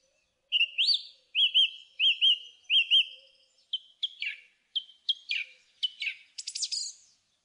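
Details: Song thrush repeating a hooked whistled phrase five times in steady succession, then shifting to a string of short sharp notes and a final buzzy flourish.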